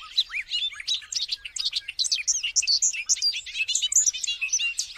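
A Bobolink pours out its bubbling, tinkling song, a rapid jumble of metallic, banjo-like notes jumping up and down in pitch without pause.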